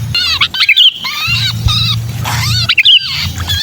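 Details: Sooty-headed bulbul distress call, the 'kejepit' trapped-bird lure used to draw wary bulbuls down: harsh, buzzy, harmonic screeches in quick bursts with brief bright whistled notes between them, over a steady low hum.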